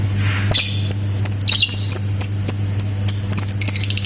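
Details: Lovebird in ngetik style with added ngekek: rapid dry ticks and sharp high chips repeated several times a second throughout, with brief scratchy squeals mixed in, over a constant low hum.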